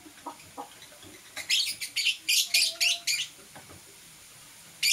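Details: Green and blue Personata lovebird chirping in the morning: a quick run of bright, sharp chirps packed closely from mid-clip, then a pause and one more chirp at the end, over a quiet background.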